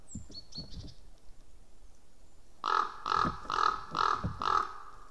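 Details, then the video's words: Common raven visiting a white-tailed eagle nest webcam in Estonia, 11 March 2017 around 09:41, gives five harsh, hoarse calls in a steady run, about two each second, after some high, thin whistled notes and low wind rumble; an eagle calls far off. "raven visit"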